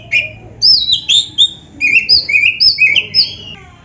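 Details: Gacor kacer, the oriental magpie-robin, with lavish isian for training: a fast chain of clear, slightly rising whistles jumps between two pitch levels in even pulses, with quiet low hum behind.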